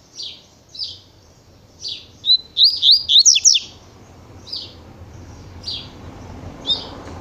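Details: Double-collared seedeater delivering fast Tui Tui style song: spaced buzzy chips, then a rapid string of looping whistled notes, over steady low background rumble.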